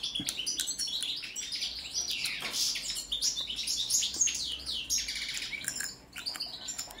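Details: ['Goldfinch, Carduelis carduelis balcanica, singing during a song check: a fast, continuous jumble of liquid twitters, chirps and metallic trills, dipping briefly near the end.']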